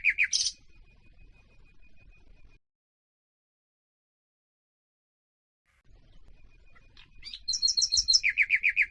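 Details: Tutor song of a nightingale for teaching canaries: a loud burst of notes, a thin held whistle, a long silence, then rapid high repeated chirps falling into a steady lower pulsing series.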